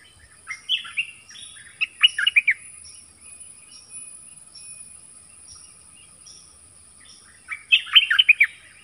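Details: Nok dok taeng singing in a duel with wild birds: quick strings of high chirps and buzzy notes at the start, a quiet stretch of soft repeated tones, then another excited burst of chirping.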